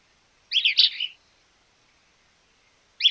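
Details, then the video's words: Small-billed Elaenia, Argentina, giving a single hoarse, clipped burry phrase followed by silence, with the next phrase just starting at the end. "Fiofio pico corto"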